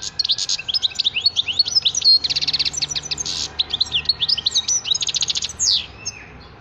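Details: European goldfinch in full song: a dense, varied stream of liquid twitters, rapid tinkling trills and buzzy notes running almost without a break, ending on a drawn-out descending note.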